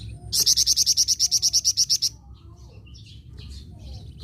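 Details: Flamboyan bird singing actively: a steady series of about fifteen loud, high, piercing notes delivered roughly three per second, followed by soft chirps in the background.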